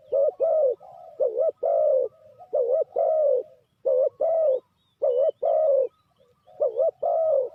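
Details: Cooing of a spotted dove, its call used as a trapping lure: phrases of two short rounded notes and a drawn-out, gently descending coo, repeated rapidly and almost without pause, with softer murmured coos in the gaps.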